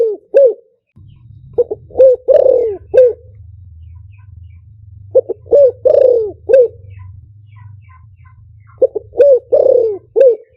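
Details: Spotted dove cooing in the liu tan style, a decoy song for luring: three phrases of short coos and a long descending purr, roughly every four seconds, over a steady low hum.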